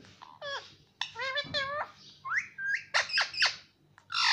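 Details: Indian ringneck parrot, a pet, talking indoors with a series of harmonic word-like syllables, some falling, some rising, ending in brighter high squawks; faint low hum throughout.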